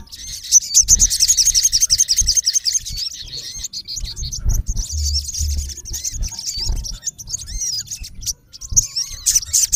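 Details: Olive-backed sunbird male calling at a rival, a dense run of sharp, high-pitched chirps at the start easing into looser twitters and brief upslurred whistles, with faint low rumbling underneath.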